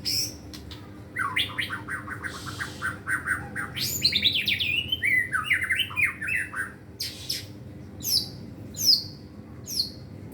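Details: Caged White-rumped shama practising gacor singing and showing its song material: a fast harsh rattle of repeated notes, a sweeping cascade of varied slurred whistles, then sharp separate high calls at intervals.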